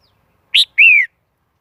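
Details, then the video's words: Red-whiskered bulbul lure recording for trapping wild birds: one short harsh note followed by a clear, slightly falling whistled note. "Tiếng chim chào mào mồi dùng đi bấy cực sát bổi"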